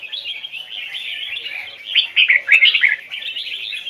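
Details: Hoài Sơn forest-style double-note song of a red-whiskered bulbul, recorded for bird training: steady, busy twittering that rises into a loud, clear cluster of whistled, bubbling notes before easing back to chatter.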